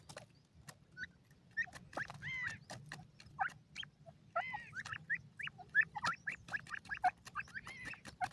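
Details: Male and female grey francolins calling together, a busy run of short whistled and slurred notes, several overlapping, repeated irregularly over eight seconds with clicking sounds and a steady low hum beneath.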